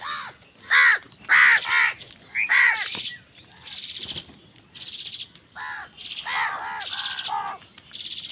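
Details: Crows fight for food with a rush of raucous caws, loud bursts at first, then a stretch of higher buzzy notes before more clustered caws.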